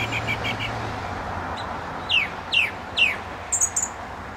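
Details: In May 2012 near St Albans, a British song thrush sings from a telephone wire by a gravel pit: four quick soft notes, then a falling whistled sweep repeated three times, ending in thin high notes.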